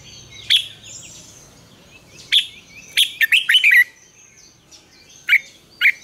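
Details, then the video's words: Red-whiskered bulbul giving a morning song in the double-note wild style, used as a lure to train other bulbuls: short bright warbled phrases at widely spaced intervals, a quick rippling run in the middle, quiet background. "luyện chào mào hót sáng, Ép chào mào hót âm kép già rừng hay tuyệt!"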